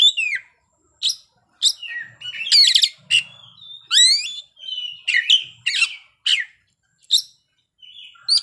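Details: Oriental magpie-robin singing its isian repertoire in short bursts: sharp downslurred whistles, quick trills and chattering notes, each phrase split by a brief pause, with a soft low hum at times.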